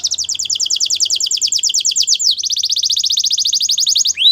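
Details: Continuous high rolling trill from a canary, its fast notes pulsing at around fifteen a second. The trill shifts pitch briefly midway, then resumes, and ends with a rising note. The song is used for training.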